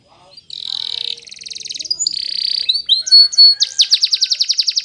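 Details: Belgian canary song played for training other canaries: long harsh buzzing rolls, then a few clear whistled slurs, ending in a fast, loud series of repeated sharp chipping notes; a faint low murmur precedes it.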